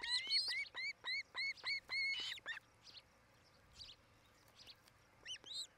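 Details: Osprey at a nest built by a pair in Charlo, Montana, on a nest camera between 17:00 and 18:00 in 2018: rapid series of clear, upslurred whistled cheeps, about five per second for two seconds, then a few scattered fainter notes and a final pair of calls.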